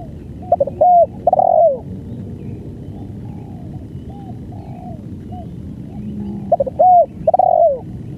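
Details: Long-duration banggo song of a spotted dove. Two bursts of loud mellow cooing, each a stuttered pair of short notes and a long falling coo, are separated by several seconds of soft background cooing.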